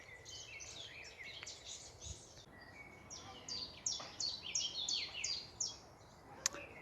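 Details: A Common Chiffchaff, among the first spring migrants, repeats its name in a steady, even chiff-chaff series of high notes, about three per second, in a wood over a busy chorus of other birds.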